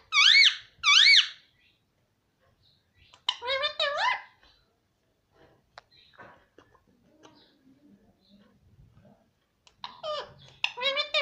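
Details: Parrot talking, said to say mummy: two quick high warbled syllables open the recording, followed by a wavering phrase at three seconds and another near the end, with faint rustling in between.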